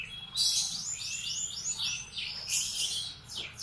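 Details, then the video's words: Canary singing in the morning, a series of rising and falling whistled sweeps repeated in quick succession, then a harsh high burst and further sweeps. "Kicauan kenari di pagi hari"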